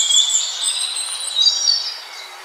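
Scaly-breasted Munia giving thin, high-pitched, overlapping peeping notes in a steady stream over soft background hiss.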